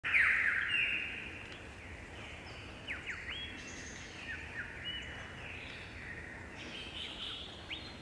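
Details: In the morning, in Australian cool temperate rainforest, a lyrebird singing on a branch opens with a loud, rapid chattering burst, then gives varied clear whistles and quick downward-sweeping notes over steady background hiss.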